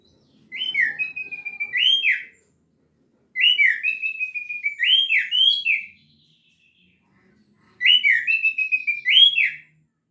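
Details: Orange-headed thrush singing in gacor teler style, delivering three loud bursts of sharp whistled and slurred notes, each phrase lasting under two seconds and separated by short pauses, with a quiet background.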